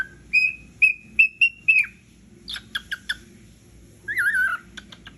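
A cockatiel gives a run of clear whistled notes, then sharp chirps and a warbling twitter.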